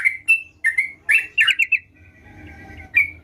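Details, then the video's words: Sooty-headed bulbul giving a few short, clear notes and a quick bubbling cluster, then a thin, sustained faint tone before one last sharp chirp. "Burung Trucukan Gacor"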